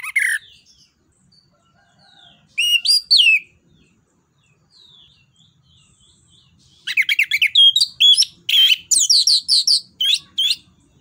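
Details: Orange-headed thrush giving its open 'ngeplong nembak' song to stimulate other birds: scattered short phrases, then a dense outburst of rapid, varied high notes and chatters repeated for several seconds.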